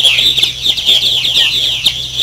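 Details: Continuous high, chirping chatter from several purple martins at the Maurice River, overlapping gurgled notes with no pause, over a faint low hum.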